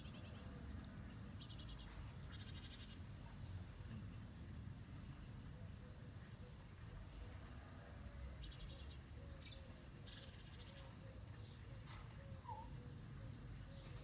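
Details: Young, curious great tit in a nest box giving short, harsh, rasping bursts of high notes a few seconds apart, over a steady low rumble and a faint repeated lower tone.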